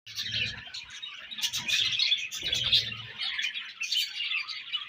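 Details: Budgerigars in breeding season, a dense flock chattering continuously with overlapping high chirps, warbles and squeaks, plus brief low thumps and rustles in between.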